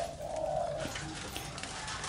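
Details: Zebra dove (perkutut) kept at home as a lure bird, set out on the front terrace, gives a brief, soft mid-pitched coo early on, followed by a steady low background hum and faint room noise.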